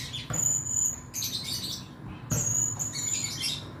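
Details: Male blue-crowned hanging parrot in full song, as kept for tutoring and contests; piercing high drawn whistles alternating with rough, scratchy bursts, in two phrases separated by a brief break, with low hum beneath.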